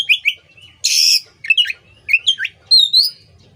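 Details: Oriental magpie-robin song for songbird training: short whistled slurs, a loud grating rasp, then twisting upslurred and downslurred whistles in a lively, varied run.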